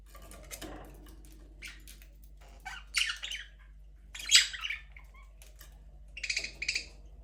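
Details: Budgerigars in a breeding aviary where the first chick has hatched give scratchy, buzzy chirps and squawks in short bursts every second or so, with a faint low hum behind them.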